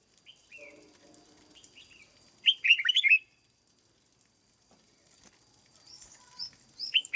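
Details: Red-whiskered bulbul kept caged for training gives soft scattered whistles, then a loud, quick phrase of rich slurred notes, and later more high notes building toward another phrase at the end.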